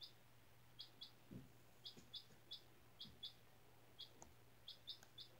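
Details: Four-day-old chicken chick raised from an egg in a school class, indoors on fresh bedding, giving brief high peeps in pairs and small clusters, spaced irregularly, with faint rustling and a low constant hum.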